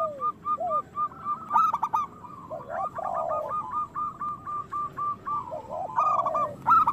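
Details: Local zebra doves, kept birds, singing vigorously in a recording used to stir lazy doves into song and breeding mood. Several birds overlap, giving rapid, rolling trilled coos and lower descending coo notes, with background hiss.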